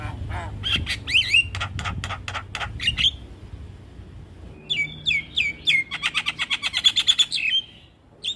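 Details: A Javan myna in full song, used as a lure to draw a quick response from other Javan mynas: a loud, varied run of harsh chattering notes and clear whistles, then rapid repeated squawky phrases over a low hum.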